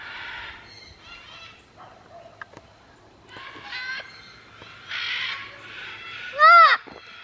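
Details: A sanctuary parrot near a wooden parrot mailbox gives a single loud arched scream near the end, after several seconds of quieter chatter, rustling and faint background voices.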